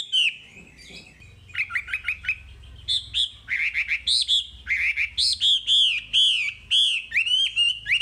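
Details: Wambi song in masteran style: a series of varied loud whistled and chirped notes, some falling, some arched, delivered in quick clusters, over a steady faint low hum.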